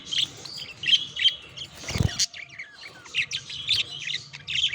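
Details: Budgies courting and mating keep up a busy chatter of quick chirps and warbles, broken by one sharp thump or knock near the middle, over a low background hum.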